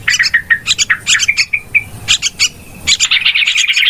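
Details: Trapping lure of yellow-vented bulbul noisy calls: a run of short, spaced chirps and a few drawn-out whistled notes, then a brief pause before a dense, rapid chattering burst.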